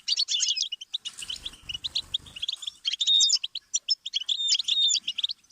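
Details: Goldfinch song used as a stimulus for song learning: bright, quick chattering phrases, a burst of thicker buzzy notes around one to two seconds, then clear whistled slurs and twitters.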